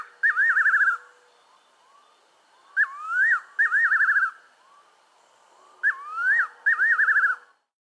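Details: Fiery-necked nightjar of southern Africa giving three liquid whistled phrases, each a slurred rising note then a rapid quavering, tremulous run, repeated roughly every three seconds.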